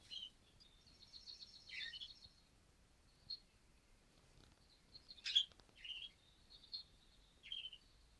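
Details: Very active male budgerigar newly added to a home flock on 14 December 2013, first day there; thin high warbling and chirps with sharp squeaky notes, broken by short pauses.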